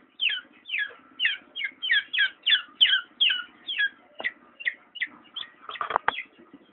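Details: Black-naped oriole calling in a steady series of short, falling, slightly harsh notes, about three each second, with a low hum in the background and a couple of loud knocks near the end.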